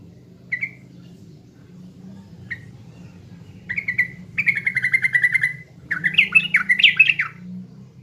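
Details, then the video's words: Sooty-headed bulbul from East Java, Indonesia, used as a lure song for training: short single chirps, then a sustained rapid bubbling trill and a final run of varied jumpy warbled notes over a low background hum. "PANCINGAN TRUCUKAN PALING DI CARI‼TRUCUKAN JATIM"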